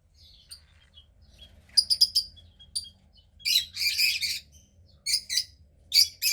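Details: A female cockatiel chick about 15 days old, grey with a little white around the wings and hatched from a pied cockatiel pair, gives harsh, raspy, high-pitched calls in short bursts, some in quick stuttering runs, with brief quiet gaps.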